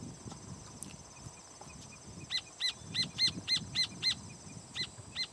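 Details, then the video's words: Rufous horneros (Furnarius rufus) on a firewood-gatherer's nest, very noisy alarm calls: rapid series of sharp, ringing notes, three or four per second, over low background rumble; some displacement behaviours seen. "Horneros (Furnarius rufus) sobre un nido de Leñatero, muy ruidosos en sus llamados de alarma"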